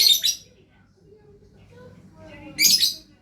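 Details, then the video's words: Lovebird in full gacor: a harsh, high-pitched burst of chattering at the start, a pause with faint low murmur, then a second shrill scratchy burst. "Love Bird Gacor"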